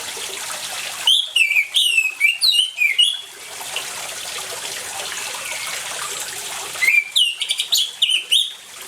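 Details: Orange-headed thrush singing steadily over running water, mixed as a lure to get silent birds singing: two bursts of quick, varied whistled and warbled phrases, each stretching about two seconds, separated by a stretch of only trickling water.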